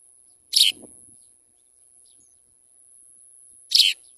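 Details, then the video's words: House sparrows getting ready to feed their chicks; two loud, harsh chirps about three seconds apart, each short and bright, with near silence and a faint steady high hiss between them. "house-sparrow birds ready to feed baby food"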